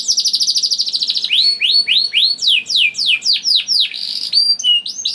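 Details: Juvenile canary singing as a lure to get other canaries singing: an opening rapid buzzy trill, then repeated rising swept whistles, about three or four per second, ending in brief high piping notes.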